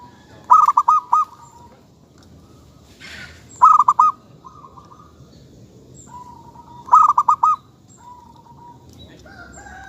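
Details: Local zebra dove song: three loud bursts of fast rolling coos about three seconds apart, each followed by a softer level trill, with a brief rustle between.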